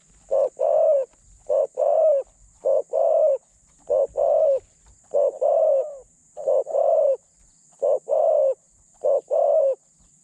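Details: Spotted dove used as a caged decoy for catching other doves, medium voice: nine rhythmic two-part phrases, a short coo then a longer one, repeated steadily about every 1.2 seconds.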